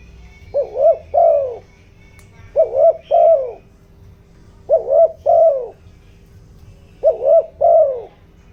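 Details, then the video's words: Spotted dove decoy calling in the 'giọng đồng' voice, meant to draw in and stir up wild doves. Soft hollow paired coos repeat four times at roughly two-second gaps, with a quiet constant background hum. "tiếng chim cu gáy kích bổi, tiếng chim cu gáy giọng đồng ,tiếng chim cu gáy hợp bổi"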